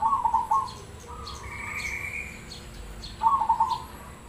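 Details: Perkutut cemani, a zebra dove, sings: two bursts of rapid, pulsed rolling coos near mid pitch at the start and again after three seconds, with a steady higher tone and faint chirps from other birds between them.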